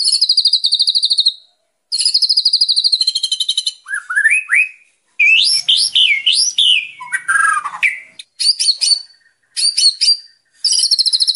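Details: Murai batu (white-rumped shama) training song for untrained birds, mixing long fast high-pitched trills with rising whistled phrases and sweeping slurs, then short repeated chirpy bursts.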